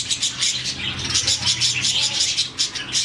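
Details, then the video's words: A colony of about 40 budgerigars chirping in the morning, a sound made when they are happy. Rapid, pulsing high chatter comes in quick bursts, nearly three per second, over a low hum. "Lovebirds, budgies, parakeets morning chirping sound"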